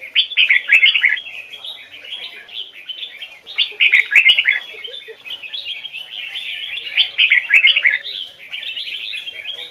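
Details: Training recording of a red-whiskered bulbul's standard Hoài Sơn forest double-note song: repeated loud, rich warbling phrases roughly every three seconds, linked by constant soft twittering.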